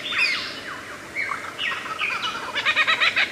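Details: Lyrebird, the Australian forest bird famed for imitating sounds, producing quick chirps and slurred whistles that end in a rapid stuttering chatter of clicky notes.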